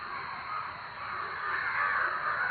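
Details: A crowd of crows caws loudly together, a dense, continuous harsh chorus with overlapping calls that swell slightly toward the end.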